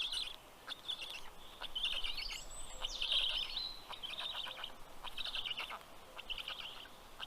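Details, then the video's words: Black stork nestlings in southern Estonia's Karula National Park make a greeting clamour for the fish-bearing male, 11:00 am, 11 June 2023; breathy, scratchy calls in short runs, a clear songbird whistle overlapping and low background rumble. "Funny greeting sound by the Kids"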